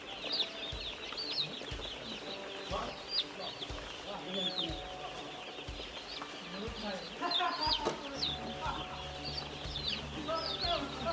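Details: A crowd of broiler chicks keeps up a high peeping chorus of overlapping short chirps. Lower, irregular sounds break in around seven to eight seconds, over a constant background hum.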